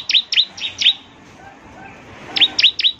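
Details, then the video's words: ['Bar-winged prinia singing gacor style to draw answers from other prinias: four quick, sharp high chirps, a quiet gap of about a second and a half, then four more.'] "suara ciblek GACOR paling di gemari, SEMUA ciblek pasti langsung NYAUT"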